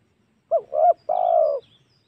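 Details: Spotted dove lure call meant to provoke wild doves, for use at home or in the forest: a short coo, a rounded coo, then a long, slightly buzzy coo falling away at the end, with faint high twitters behind.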